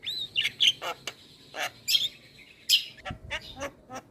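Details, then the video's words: Javan myna training song from a head-bobbing bird: scattered loud squawks and bright squeaky whistles separated by brief pauses, with softer rasping notes toward the end. "Masteran Jalak kebo Gacor Manggut Manggut Semua Burung Jalak Langsung Gacor"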